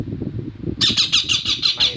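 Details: Rose-ringed parakeet calls out to a friend of another species with a burst of harsh, grating squawks repeated rapidly in an even rhythm, after a short stretch of low talking and room noise.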